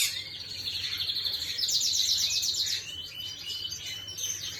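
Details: Singing canary, dated 11/5/25: a rapid rolling trill of quick repeated notes that flows into shorter twittering phrases and rising whistles.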